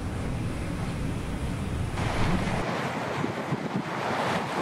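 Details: Strong wind buffeting the microphone, a roaring broadband rush with no animal sounds.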